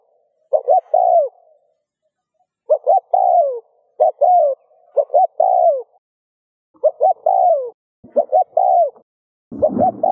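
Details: Spotted dove cooing to stimulate other doves: six phrases spaced about a second apart, each two short hoots then a longer downslurred coo, with a low rumbling noise at the very end.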